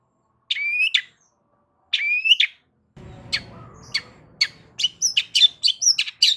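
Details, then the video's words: Long-tailed shrike song, loud, to provoke other shrikes: two rising whistled phrases, then sharp clicks and quickening scratchy chirps over a low hum. "Cendet DIAM Pasti Tak Tahan Dan MERESPON Gacor Bongkar Isian Dengan Suara Kicauan Cendet KERASini"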